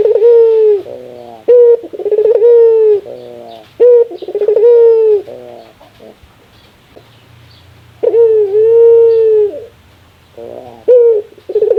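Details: Laughing Barbary dove, a sound described as most rare: several cycles of rapid chuckling pulses and drawn-out coos, then a pause of about two seconds with faint low hum before the laugh resumes.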